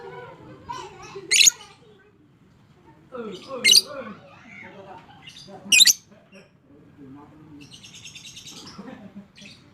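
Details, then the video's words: Lovebird of fighter type in long ngekek chatter, meant as stimulation for lovebirds that stay quiet: three sharp, grating squawks about two seconds apart, with lower warbling notes around them and a brief buzzy rattle near the end. "Suara Burung LOVEBIRD FIGHTER Ngekek Panjang"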